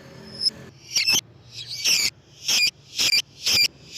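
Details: Lovebird sound intended to attract lovebirds: a few thin high peeps, then five loud rasping, squeaky bursts about half a second apart, with low background hum.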